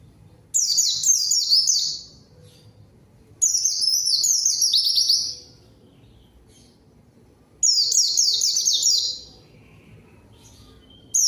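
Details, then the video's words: White-eye lure song to call a rival and get mute birds singing: three energetic bursts of thin, high, descending slurred notes, each about one and a half seconds, with quiet gaps. "PANCINGAN PLECI GACOR MANGGIL LAWAN COCOK UNTUK PLECI DIAM AGAR CEPAT BUNYI DAN GACOR"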